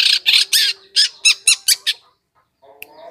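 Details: Long-tailed shrike in a recording used to lure wild birds. It gives a string of loud harsh scolding notes, about four a second, that fade into soft background murmurs.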